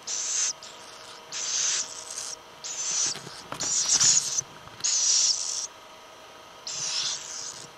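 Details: Little owl, with six rough, high hissing bursts each under a second long, spaced about one to one and a half seconds apart over a quiet, steady background.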